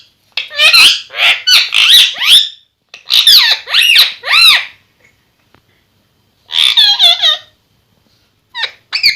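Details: Pair of talking parrots gives bursts of rapid, chattering, speech-like syllables with rising and falling whistled tones, separated by silent pauses, ending in short squeaks.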